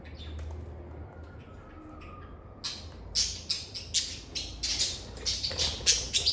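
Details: Lovebirds chirping and singing in a calm environment: quiet opening with a faint whistled tone, then a lively run of sharp, high, scratchy chirps repeated rapidly to the end.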